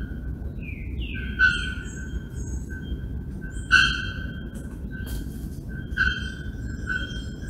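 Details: Procnias nudicollis calling in Brazil's Sao Paulo Botanical Garden, August 2024: a series of resonant metallic tonk notes about every second, three louder accented clanks, and a short rising whistle from another bird at the start.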